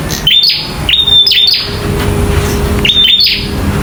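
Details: Local bar-winged prinia singing hard in fighting mode. Two quick bursts of snapping clicks and high whistled notes, then a pause and one more burst, over a steady low hum and hiss.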